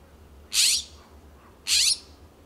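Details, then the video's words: California scrub-jays in a Pacific Grove, California backyard trading loud calls; two harsh, buzzy, rasping squawks about one second apart against a quiet background. "Loud calls of California Scrub-Jays"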